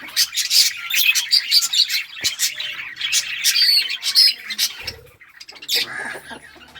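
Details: Chattering lovebirds, mixed mutations, giving fast sharp high chirps about twice a second, squeaky and uneven, fading toward the end with a brief low thump.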